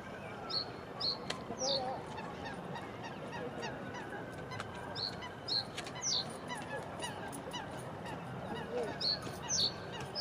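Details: A male Common reed bunting singing in a reed bed by a memorial fountain gives short, high, sharp notes in brief jerky bursts every second or so, over a steady rushing background; a Reed Warbler may be heard too.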